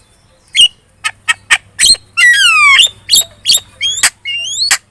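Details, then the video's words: Lure song of a very chatty Javan myna meant to make other birds answer: clipped squawks at irregular spacing, a long falling whistle, and rising whistled notes. "PANCINGAN JALAK KEBO super gacor cerewet.di jamin burung kamu langsung nyaut"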